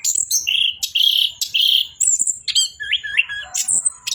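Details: Orange-headed thrush singing nonstop 'bocor' style. Bright repeated whistled notes are followed by looping warbles and high squeaky chips.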